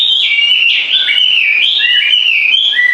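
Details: Loud, unbroken warbling song of gliding whistles that rise and fall continuously over three seconds.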